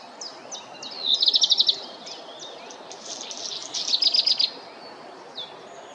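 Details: Black redstart song in two phrases: thin high whistles leading into a rapid, dry rattling burst of about eight clicks, then more whistles and a second crackling rattle, with faint steady background noise.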